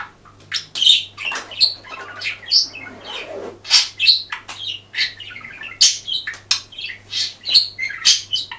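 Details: Hidden-camera recording of a budgerigar's song, a dense chattering warble of rapid chirps, buzzy squawks and sharp whistled notes, loud bursts coming roughly every half second over a faint constant electrical hum.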